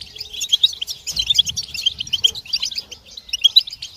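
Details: A chorus of European goldfinches, group twittering used to coax moulting goldfinches back into song; bright, rapid liquid chips and trills overlap in a continuous high jangle, with brief louder bursts.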